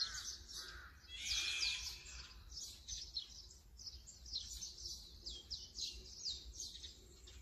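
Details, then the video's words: Brown-eared bulbul, Sony A7M3 recording: one strong, rasping shriek at about one to two seconds, then thinner chattering and chirps carrying on in the background. "직박구리 - Brown-eared Bulbul - Ixos amaurotis - 棕耳鹎"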